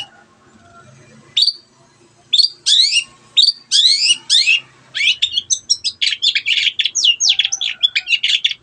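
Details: Shrike song from a bird singing loudly to set other quiet birds singing. A few sharp, sweeping high notes come first, then a fast run of varied chattering and trilled notes that grows denser toward the end.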